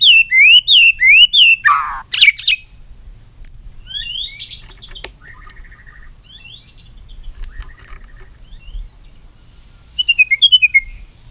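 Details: White-rumped shama singing with many voices: a run of repeated rising whistled notes and a harsh burst in the first seconds, then quieter scattered chips and short phrases, ending with a quick bright trill.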